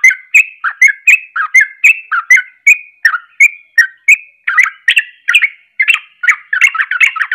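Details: Sooty-headed bulbul singing a fast, emotional ropelan song meant to provoke other bulbuls: bubbly, whistled two- and three-note phrases repeated rapidly, over a second apart at first, then crowding together into a dense, rolling chatter.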